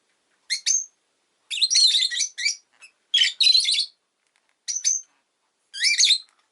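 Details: A pet rosy-faced lovebird chirps in repeated shrill, buzzy phrases: quick double notes, longer rasping chatters, and sharp squeaks separated by short pauses.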